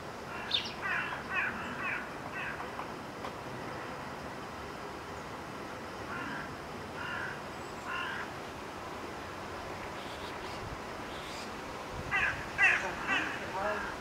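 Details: Crows gathering together in September 2015: scattered hoarse caws in short bursts of three or four, coming from several birds at varying distances, with a louder cluster near the end, over steady outdoor background noise.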